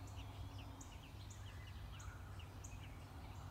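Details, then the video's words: Nestling American robins, six days old, calling as they are fed: sharp high chirps and thinner very high notes repeated about every half second, over deep background noise. "Robin birds feeding 6 days old chicks"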